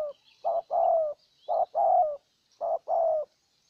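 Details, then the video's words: Spotted dove decoy from Ninh Thuận, Vietnam, cooing to lure a wild bird: three pairs of low coos, each a short note then a longer, slightly falling one, with faint high chirps of other birds behind. "Cu Gáy Ninh Thuận clip 144 [ Hiệp 2 ] Mồi Siêu Gù thu phục bổi quá tuyệt vời"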